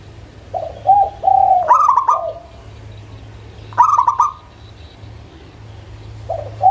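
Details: Local-type zebra dove song as a prompting lure: low soft coos lead into a fast rattling burst of higher notes, repeated a few seconds later, with a low steady hum beneath.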